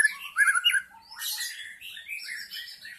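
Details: White-rumped shama song from the wild forest, used to lure wild shamas: a loud burst of warbled whistles, then a scratchy high flourish and softer continuing whistled notes.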